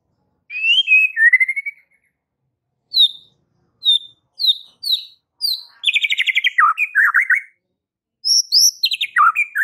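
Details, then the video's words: White-rumped shama singing to provoke fighter males: a falling whistled phrase, a run of short high descending notes about every half second, then rapid rich trilled bursts. "Gak Perlu waktu Lama MURAI BATU FIGHTER akan TERPANCING EMOSI NYA dengan Murai Batu GACOR INI"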